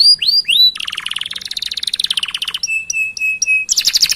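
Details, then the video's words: Energetic canary song meant as a tutor recording to get other canaries singing: three rising swept whistles, a long rapid buzzing trill, a run of repeated flat whistles, then a harsh high burst. "Masteran Suara Burung Kenari Gacor Panjang Cuit - Cuit Ngerol || Cocok Untuk Memancing Kenari Lain"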